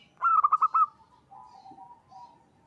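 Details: Local zebra dove giving its call to summon other doves, used as a lure: a quick burst of about six clipped, bright notes, then a softer, lower, drawn-out cooing trill.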